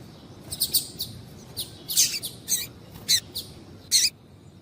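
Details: Calls of a female double-collared seedeater, used to excite a male: scattered high, sharp chips and short buzzy notes, irregularly spaced, some close pairs, against a quiet background.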